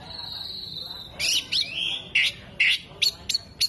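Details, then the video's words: Oriental magpie-robin with spread tail, imitating hummingbird, bearded bird and lovebird: a long thin steady whistle, then a run of loud, harsh, explosive chattering bursts separated by brief pauses. "KACER GACOR BUKA EKOR TEMBAKAN KOLIBRI, JENGGOT DAN LOVE BIRD"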